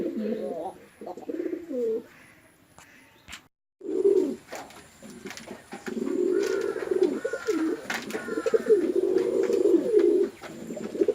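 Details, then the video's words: Male and female pigeons fighting in a house pigeon farm, Chittagong District, Bangladesh: short low coos, a brief silence, then a long, continuous run of gurgling coos with some background noises. "Awesome Male & Female Pigeon Combo Attacks Sound"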